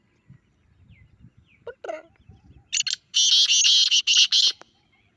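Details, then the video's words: Grey francolin call used to stir a pet francolin. Soft murmuring and a few squeaky notes lead into a loud, harsh, rattling outburst of closely packed notes lasting over a second. "اپنے تیتر کو یہ آواز سناؤ 😱 تیتر کا زبردست ردعمل دیکھیں | Teetar Call"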